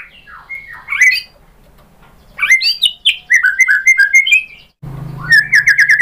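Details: White-rumped shama song played to make other birds sing in reply: twisting whistles and chatter, a string of repeated slurred notes, then a steady hum under quick repeated phrases near the end.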